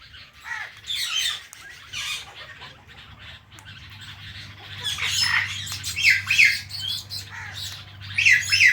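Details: Two pet Indian ringneck parrots, one blue, chirping together: harsh, scratchy squawks in quick irregular bursts, quieter at first, then louder clustered calls after the fifth second over a steady low hum.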